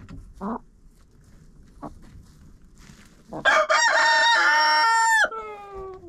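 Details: Chicken in a coop, filmed by a GoPro inside: a few short clucks, then a loud crow with a stuttering start and a long, harsh, level note that drops and trails off.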